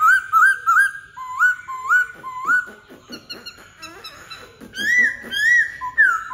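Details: Black-throated laughingthrush singing loud, clear whistled phrases: rising slurred notes repeated in quick series, then a jumble of shorter notes and a final run of long, swelling whistles.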